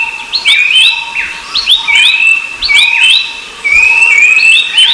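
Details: Rufous-browed babbler, recorded alongside a second babbler species, giving loud repeated whistled phrases, each a level note rising into a swooping upslur, about two phrases per second, with a steady hum in the background.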